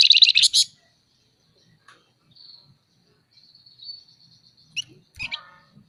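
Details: Scaly-breasted munia, caged and chattering: a loud opening burst of scratchy notes, then long faint high whistles and a few short clipped chirps in a quiet background.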